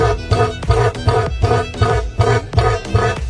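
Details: Rhythmic instrumental music with strong low beats and string-like tones, with no animal sound.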